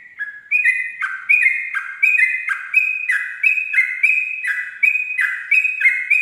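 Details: Sooty-headed bulbul in dawn ropel song for tutoring young birds; energetic paired whistles step down from high to low in a fast, slightly uneven rhythm for over six seconds.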